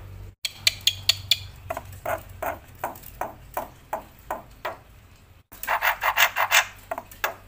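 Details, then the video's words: Loud, energetic black-winged myna singing with a full, varied repertoire: a steady series of harsh, buzzy notes about three per second, then an abrupt break and a louder burst of rasping, chattering notes, with a low hum underneath. "suara KERAS jalak putih gacor full isian"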